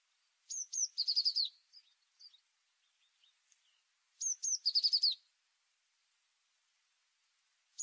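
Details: Tit repeating its phrase about every three and a half seconds: two high, clipped notes then a quick, rippling trill, with faint scattered chips between phrases.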